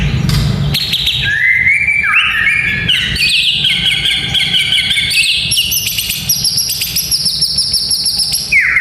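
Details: Song of a white-rumped shama, used to train young fighter males' mental toughness: a low thud, then stepped clear whistled notes climbing higher and higher into long ringing high whistles, over a steady low hum.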